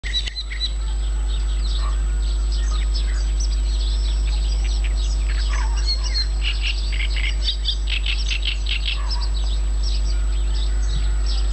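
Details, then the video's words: Birds singing in Yanovka near Novocherkassk on 29 May 2017: a busy chorus of high chirps, trills and twitters from several birds, overlapping continuously, over a steady low hum and a faint constant high whine. "Голоса птиц в Яновке (Новочеркасск)"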